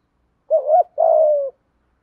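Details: Spotted dove cooing in the thổ pha đồng voice style to lure wild doves: a short wavering double coo, then a longer, steady, slightly falling coo, on a silent background.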